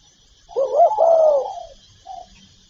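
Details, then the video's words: A single low spotted dove phrase, rising wavering start merging into a long falling coo, followed by a faint short note; from a set of calling, urging and cooing sounds, with light background hiss. "Tiếng chim cu gáy đủ bài gáy gọi, thúc, gù"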